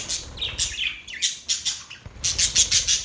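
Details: Budgerigars chirping in a cheerful mood: rapid bright chattering warbles and scratchy high notes, several bursts per second, with a busier burst of chatter near the end.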